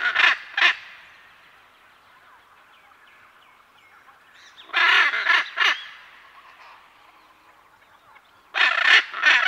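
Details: Harsh, loud squawks from a pair of Hyacinth macaws, recorded at medium-close to medium distance. Short grating bursts open the clip, then a gap with soft background birds, then two more clusters of raucous calls.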